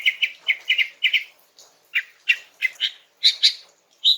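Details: A relaxed song from a female greater green leafbird, sung to draw a reply from a young male: paired short chirps repeated steadily, then brighter, higher notes toward the end.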